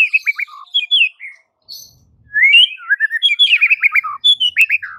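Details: White-rumped shama song used as a master recording to rouse silent shamas: rapid run of whistled, slurred notes, a short pause, then a long burst of tumbling, descending whistles and chirps.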